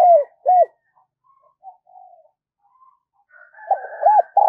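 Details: Spotted dove serving as a decoy, calling to bring others in; two short low coos open, then quiet murmurs, and a final run of arched coos ending in a sustained croo.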